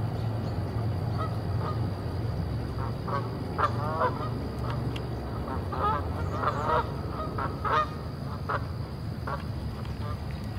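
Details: Canada geese (Branta canadensis), at least one group with more nearby, give repeated overlapping nasal honks over a steady low rumble of wind or traffic, amid woodpeckers and robins.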